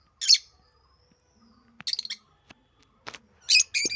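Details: African lovebirds, parrots, uttering a few harsh high squawks and chirps separated by pauses, with a soft knock and faint low hum between calls.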